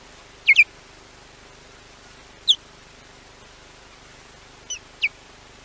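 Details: Wild osprey at Llyn Clywedog, Wales, warning off a rarely seen intruder: sharp, high, squeaky chirps, a quick double note followed by single notes spaced a couple of seconds apart, against a quiet background.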